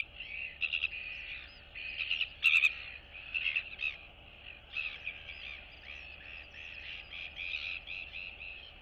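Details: Two royal albatross chicks greet one another in their colony on 9 September 2022, one younger and still downy on neck and chest. Bursts of harsh, rattling chatter come in uneven clusters, loudest near the middle, over a steady low hum.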